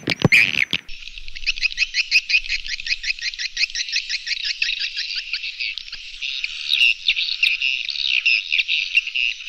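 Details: Swiftlet call, a fast, even train of high ticking pulses that runs into a continuous buzzy twittering trill.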